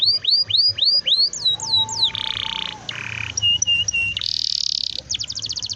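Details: Canary song played to encourage young canaries to sing: a series of rising looped whistles, descending slurs, harsh buzzy blocks, short high pips with a steady whistle, a broad buzz, then a quick trill.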